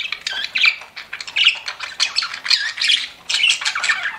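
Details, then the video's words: Pet budgies chirp in quick clusters of raspy squeaks and whistled notes. The chatter pulses unevenly, with a short quiet gap near three seconds. "CUTE PET BUDGIES CHIRPING"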